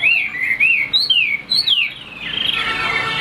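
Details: Chinese hwamei song of looping and swooping clear whistles, a few per second, ending in a denser, blurred warble.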